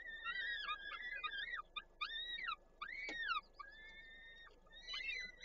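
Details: Peregrine falcon nest in Koszalin, Poland, 13 May 2022, with prey delivered by the male and chicks fed by the female; a rapid series of short, harsh, chopped arched calls, then one longer level wail and a final burst.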